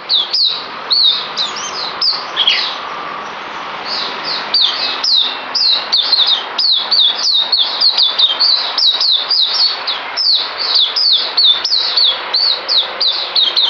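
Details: Songbird recorded 9 December 2018, delivering a fast, continuous stream of sharp, high whistled chirps and slurred upswept notes, closely packed and repeated without pause, over a faint steady background hiss.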